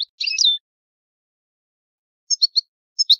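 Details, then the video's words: Italian goldfinch, old-style song: a brief tangled burst of bright twittering notes, a long silent gap, then a few short, clipped high chirps in two small clusters. "Il canto del cardellino italiano ,il vecchia canto"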